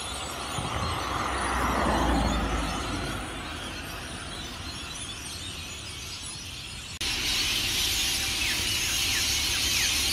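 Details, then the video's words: Hundreds of rainbow lorikeets leaving their Norfolk Pine roosts along Burleigh Heads Beach, Gold Coast, Queensland, Australia, before sunrise: a dense shrill roar of screeching, with a low rumble early on and an abrupt shift to brighter chatter near the end. "The noise of Hundreds of Rainbow Lorikeets at Burleigh Heads"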